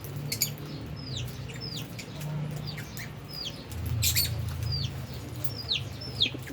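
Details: Albino and Fischer's lovebirds eating and playing; thin falling chirps come every half second or so, with a loud low rumble and a brief flap of wings midway.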